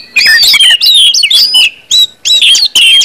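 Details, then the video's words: Orange-headed thrush in ngeplong song, used to coax birds into singing: separate bursts of clear whistled and slurred notes, roughly three short phrases split by clear silences. "KUMPULAN ANIS MERAH NGEPLONG BIKIN CEPAT BUNYI DAN GACOR ANIS MERAH"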